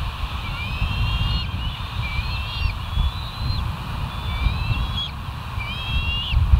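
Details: Bald eagles at the West End nest cam, 07/05/2023 shortly after six in the morning: thin, faint, upward-bending whistles repeated irregularly, partly masked by strong low rumbling noise.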